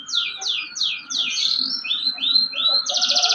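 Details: Canary sings four quick descending sweeps, then three rising slurred whistles and the start of a rapid buzzy trill, loud and clear over a faint low hum.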